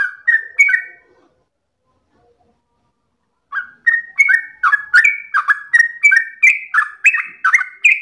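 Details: A few whistled notes from a yellow-vented bulbul, then a pause of over two seconds, then a fast unbroken run of bright, slurred whistles that builds steadily louder. This is its energetic, continuous long-phrased singing.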